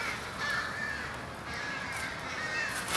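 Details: American crows at a winter evening pre-roost in Charleston, Coles County, Illinois, USA, 16 January 2015. Drawn-out, slightly descending caws stand out clearly above a chorus of further distant calling.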